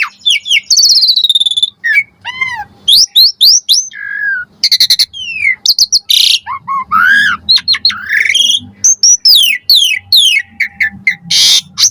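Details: Asian pied starling lure song with varied fill phrases, meant to make starlings reply: an unbroken stream of whistled slurs, rising and falling notes, clicking trills and harsh rasping bursts, densely packed over twelve seconds.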